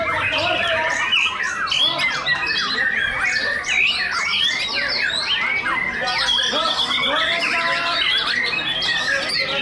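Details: White-rumped shamas dueling in a singing competition between the top two birds: busy bursts of high whistles, buzzy trills and squawky phrases overlap from multiple singers, with a low murmur of voices behind.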